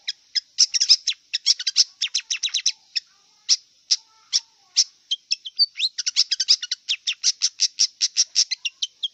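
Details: Song of a wild long-tailed shrike: a dense chatter of quick, sharp chirps and clipped notes repeated many times a second, with a short break midway and a constant thin high tone behind.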